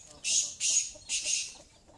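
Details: Female black francolin calling: three harsh, hissing bursts, each about a third of a second long and spaced evenly, with faint background noise between them.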